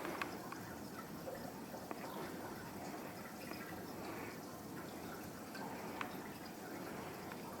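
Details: Dripping water and faint filling sounds echo in a small indoor space over a steady low hum, with no animal voice.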